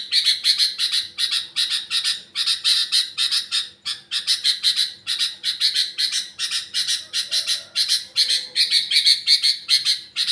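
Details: Sooty-headed bulbul song in the trocok style: rapid bursts of harsh, chattering notes repeated about two to three times a second in clustered phrases, with a faint low hum beneath.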